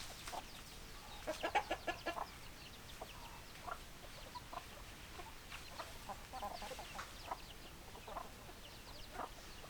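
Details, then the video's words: Flock of chickens: a dense cluster of loud clucks early on, then sparser clucking notes scattered through the rest, set against a constant low background noise. "Chicken Sounds Noises Hens Clucking Roosters Crowing"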